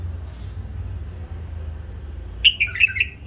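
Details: A captive-bred hybrid bulbul, raised by its owner, gives a quick burst of four short, bright, fluty notes near the end, following a quiet stretch with a faint low hum.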